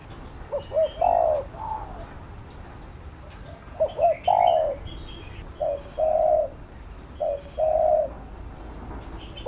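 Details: A spotted dove's urging coo for training a bird: pairs of soft low phrases, a clipped note followed by a fuller sustained coo, repeated at roughly two-second gaps, with scattered higher chirps of other birds in the background.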